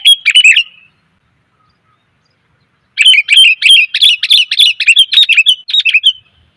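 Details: Female sooty-headed bulbul luring males with her call: a short chirpy phrase, two seconds of silence, then a long lively stream of quick bubbling notes lasting about three seconds.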